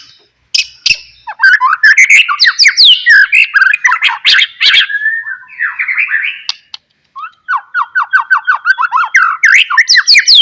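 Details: White-rumped shama singing as a lure for other shamas: a dense, varied stream of chattering notes, harsh squawks and quick whistled slurs, ending in rapid repeated falling phrases.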